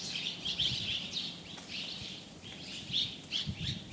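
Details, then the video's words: Birds chirping outside, clusters of high twittering notes in bursts separated by brief pauses, over a low steady hum. "Amazing Bird sounds"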